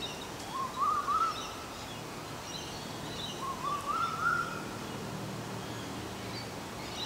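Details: From a pair of Olive-backed orioles, a mimicking, voice-throwing species: two mellow, rolling, rising warbled phrases about three seconds apart against a steady rural background hum.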